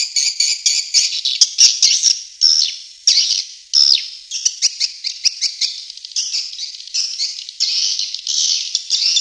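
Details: Calling sound for swiftlets, Tombak Raja type: steady, unbroken high-pitched chattering twitter with rhythmic pulses that swell and fade, several overlapping voices forming a shrill, buzzy wash throughout.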